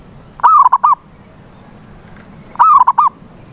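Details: Zebra dove cooing meant to prompt a silent dove to sing: two short phrases, each a slurred note and then three or four quick, hollow coos, separated by about two seconds of low background hum.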